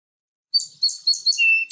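A Song Sparrow gives four quick, buzzy high notes, about five per second, then one steady, clear whistled note, with nothing else heard.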